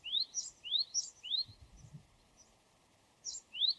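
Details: Japanese tit in the wild giving its high, penetrating song. Quick two-note units pair a rising slurred whistle with a higher clipped note, repeated three times, then a short pause and another phrase. There is a brief low thump midway.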